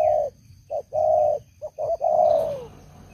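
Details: Old decoy spotted dove with a big voice, used in Cambodia to lure wild doves into a trap: a hollow coo, two short notes, a long steady note, then more short notes leading to a long falling coo, over a faint steady hum.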